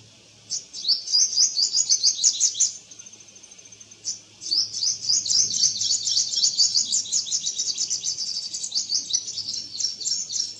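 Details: Purple sunbird in eclipse plumage singing in a garden: a rapid, high, twittering run of sharp chips and trills, briefly pausing after about three seconds with a faint thin trill before resuming a long continuous jingling stream.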